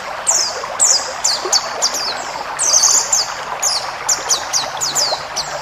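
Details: White-eye forest-style song for cage-bird training: a long series of high, downward-sliding whistles, some doubled, coming roughly twice a second over a rushing background.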